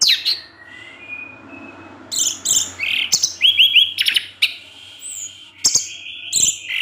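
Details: Orange-headed thrush in evening 'teler' song, provoking other thrushes: varied whistles, rapid repeated looping notes and sharp chips flowing almost without pause over a faint low hum.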